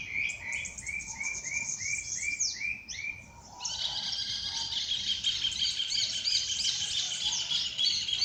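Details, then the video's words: Birds singing at dawn in nature: a row of repeated short rising chirps, then a dense, continuous chorus of overlapping high twittering notes. "pássaros cantando no amanhecer"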